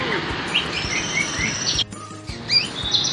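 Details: White-rumped shama kept in a cage and taken into a crowd so it grows unafraid of people; clear whistled phrases sliding up and down with bright high notes, broken by a short gap, over steady background chatter and voices.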